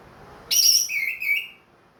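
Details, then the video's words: Orange-headed thrush, Ring Kresek type, kept as a songbird and singing again after moulting: a high piercing whistle that drops into a lower, wavering whistled note, fading out after about one second. "MERANGSANG ANIS MERAH BUNYI PLONG"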